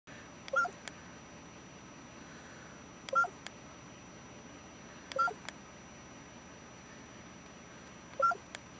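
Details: Male common raven at the Yukon River in the Arctic giving its mating call: four short calls about every two to three seconds, each a sharp click followed by a hollow, bell-like tonal note, over a quiet background.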